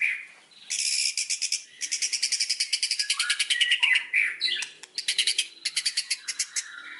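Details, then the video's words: Indonesian white-rumped shama singing as a lure song: dense bursts of rapid, buzzy, high-pitched rattling trills, repeated in bouts with brief pauses between them. "Pancingan burung murai batu"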